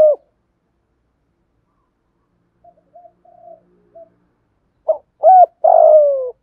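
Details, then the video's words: Decoy spotted dove cooing to lure wild doves: after scattered soft, muffled notes, a loud phrase closes the clip, a short clipped note, a doubled note, then a long drawn-out low coo falling slightly. "Chim cu mồi thúc đấu + gáy gọi bổi nhanh gáy + giọng tốt"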